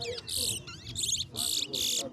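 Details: Chestnut-bellied seed finch, known locally as towa towa, singing in a head-to-head singing competition; short buzzy bursts repeated about every half second, with people counting aloud in the background.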